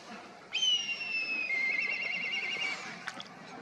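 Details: Black kite calling, a long high whistle that starts strong, slides slowly downward and then breaks into a wavering, trilled tail, over soft background noise.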